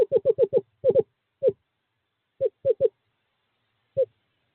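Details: Courting-season call of a male eastern screech owl inviting a female to box 5, 2/11/2023. Quick burst of about eight soft hoots that slows and thins out into widely spaced single notes.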